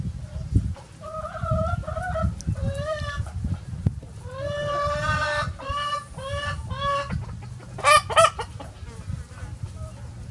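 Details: Free-ranging farm chickens of various breeds on a sunny day: a series of drawn-out, nasal, harmonic-rich calls in short phrases, followed by loud sharp squawks near the end, with low background rumble.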